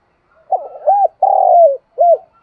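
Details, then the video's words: Spotted dove calling the flock in the morning, Dong Nai, Vietnam: soft stuttering start, a rounded coo, a long even coo sinking at its end, then one short final coo. "tiếng cu gáy gọi bầy buổi sáng"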